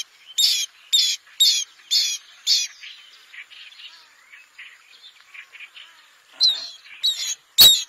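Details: Bronze-winged jacana uttering five rapid, sharp, squealing notes about half a second apart. A stretch of faint twittering follows, then a few louder calls return near the end.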